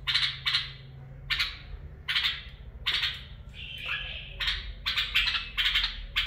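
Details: Bulbul singing in the barwaz and mafaraah song styles: short bright warbled phrases, some buzzy and slurred, delivered in quick bursts separated by brief pauses, with a faint low hum underneath.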